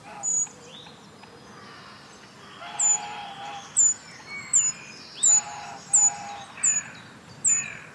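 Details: Eurasian treecreeper repeating sharp, very high, thin notes that curve downward slightly, about eight calls at roughly one per second, with faint lower chirping from other birds in the background.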